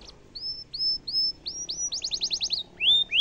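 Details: A domestic canary delivers a series of upward-curving whistled notes, then a quick burst of steep rising notes and two downslurred whistles, part of a showy cengkok mewah tutoring song.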